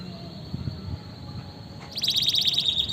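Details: Canary singing, meant as stimulation for quiet canaries: faint steady high tone, then near the end a sudden loud rapid trill of tightly packed high notes over low background hum.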